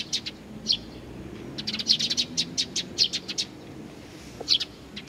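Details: Young birds awaiting their parents' return at Tenmangu, Nakanoshima, on 25 June 2020: rapid bursts of sharp high chirps, densest in the middle, tapering to scattered single notes against a low steady hum.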